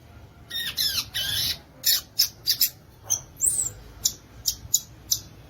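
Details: Violaceous euphonia singing a burst of rough, high chattering notes, then a series of short, clipped chips and one sweeping whistled note spaced about half a second apart.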